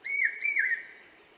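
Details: Common hawk-cuckoo, also called brainfever bird, calling in forest near Indore, Madhya Pradesh, in the Malwa summer before the monsoon: a clear whistled phrase that wavers up and down, with two quick dips, then fades out.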